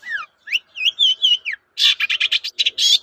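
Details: Long-tailed shrike in full song, played as a lure to draw answers from other shrikes: sweeping whistled notes and upslurs, followed by a run of short, harsh, buzzy chattering notes.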